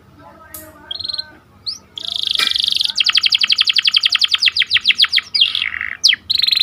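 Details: Canary singing in the 'cuit cuit' rolling style, played as a lure to train birds and spur breeding canaries into song. Short whistles and a buzzy burst lead into a long, fast, even trill of about twenty notes, then clipped high chirps.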